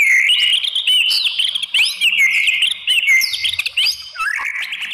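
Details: White-rumped shama provoking song to stir rival shamas to reply: a dense, fast flow of bright whistled notes, loops and quick upward slurs, continuous and varied throughout.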